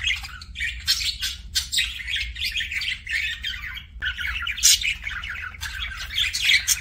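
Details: Pet budgie producing kissing sounds: choppy phrases of raspy chirps and warbles broken by brief gaps, with a few sharp clicks.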